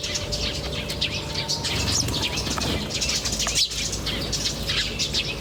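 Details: Many birds chirping in nature: continuous, dense high-pitched twittering with scattered sharper notes, a faint thin whistle early on, and a brief knock near the middle over low hum.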